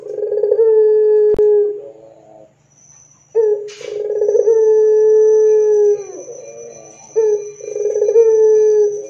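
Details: Barbary dove singing loudly to prompt other doves: three drawn-out, rolling-then-level coos with soft descending tails, a sharp click near the start and a short hiss in a pause, over a faint continuous whine.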